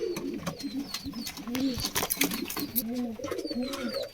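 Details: Caged pigeons cooing: low, rounded, arching coos repeat in quick succession through the clip. Thin, high chirps from small birds and some clattering are heard in the background.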